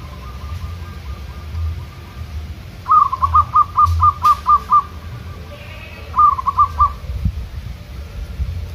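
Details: Local zebra dove in the wild, trained by singing back and forth with wild doves in a kerot ntretek style: a fast stuttering burst of about eight short cooing notes, a shorter burst of four, faint earlier notes, low rumble.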